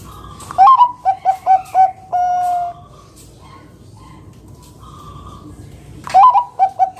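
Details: Zebra dove, a loud local singer of the Bangkok type used to lure other doves into song. A full phrase: an upswept first note, a quick run of four short coos, and a long sustained note. Faint background birds follow before the phrase starts again.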